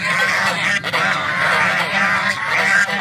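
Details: Little ducks quacking while eating: continuous nasal, honking quacks overlapping from several birds, with a steady low background hum.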